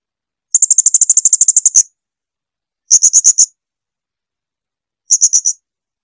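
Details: Clear song of a blue-crowned hanging parrot, or srindit, meant for tutoring kept birds: one long rapid trill of high sharp ticks, then two shorter bursts of four to five notes after pauses.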